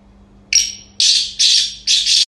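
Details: Captive Black francolin of the chinrga sindhi strain calling: four harsh, rasping bursts, each about a third of a second long, in a quick grating series with a faint hum in a quiet room.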